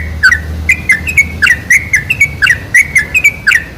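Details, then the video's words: Sooty-headed bulbul song used as a lure to attract bulbuls: clear chirped notes in loose clusters, some slurred downward, roughly a dozen in under four seconds, over a soft low hum. "PANCINGAN SUARA TRUCUK TERBAIK"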